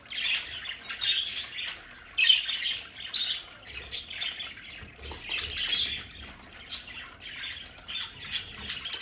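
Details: Budgerigars in a home play area warble and chirp in continuous, uneven bursts, high scratchy notes rising and falling, with a faint trickle of water in the background.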